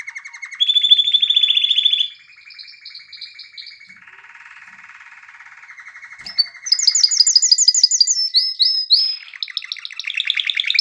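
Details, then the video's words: Canary singing a varied song: a high fast trill, a softer low rolling passage, then bright rapid repeated notes and quick whistled phrases changing pitch every second or two. "کنری مست/خواندن کناری مست/قناری با صدای عالی/KANARYA sesi"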